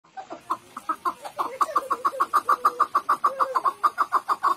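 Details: Chukar partridge calling: a rapid series of clucking chuck notes that starts uneven and quickly settles into a steady rhythm of about three notes per second, with faint lower grating notes underneath.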